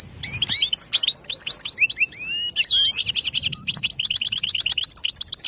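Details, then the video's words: European goldfinch singing a rapid, tinkling stream of liquid twitters, buzzy trills and upslurred whistles, high-pitched and nearly continuous. "Goldfinch singing"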